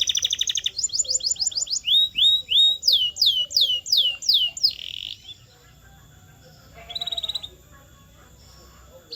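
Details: Canary song meant to train caged canaries to sing: fast trilled phrases, then rising and falling whistled notes repeated in quick runs, a buzzy burst, a pause, and a short later trill.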